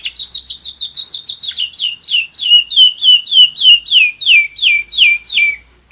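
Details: One-year-old pet German Roller-split canary singing: a fast run of short high chirps that slows into longer downward-slurred whistled notes, evenly repeated at roughly three per second.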